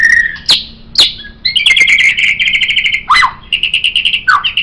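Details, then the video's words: White-rumped shama singing, offered for tutoring songbirds: a whistled note, sharp downslurred chips, then a long rapid trill, a sweeping downward whistle, and another fast trill. "MURAI BATU Ini Sangat Cocok Dijadikan Masteran Burung Kicau"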